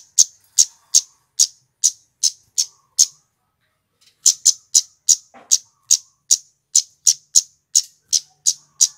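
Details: Scarlet-headed flowerpecker male song played as a trapping lure: a steady series of piercing high 'cit' notes, pausing for about a second, then resuming faster.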